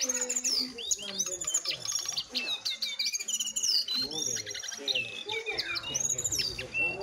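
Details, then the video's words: Jongkangan, one wild and one caged, competing in song, recorded on modest equipment; loud looping whistled phrases mixed with chirps and chattering trills throughout. "Adu Gacor Jongkangan Liar VS Jongkangan Sangkar"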